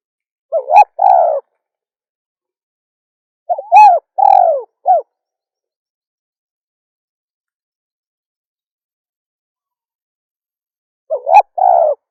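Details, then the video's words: Female spotted dove repeating its cooing phrase three times with long silent gaps. Each phrase has quick rising notes followed by a drawn-out falling hoot, and the middle phrase ends with an extra short coo. "SUARA DERKUKU BETINA"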